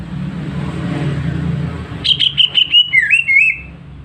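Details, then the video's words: Greater green leafbird, a healthy bird kept at home, with a clear voice. After a low rumbling background, a burst of rapid sharp whistled notes leads into swooping slurred whistles, lasting about a second and a half. "Cucak ijo sehat, suara jernih"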